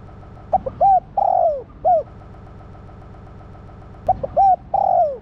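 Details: A spotted dove hen calls to stimulate the male. She gives two complete coo phrases about three seconds apart. Each has quick soft notes, an arched coo, a long burry coo sliding down, and a closing note.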